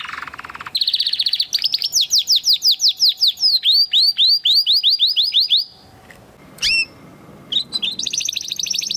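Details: Spanish Timbrado canary from 2020 breeding, training song: a rapid buzzy roll, then a long series of repeated descending whistled notes for about five seconds. A brief pause follows, then sharp high chips and a fast metallic trill.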